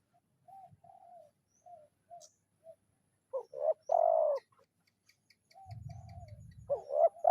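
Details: Spotted dove calling a rival, used as a lure in the kuk 0-1 style: soft, low single coos at first, then loud rolling coo phrases with a stressed drawn-out note. Faint chirps and a low rumble near the end.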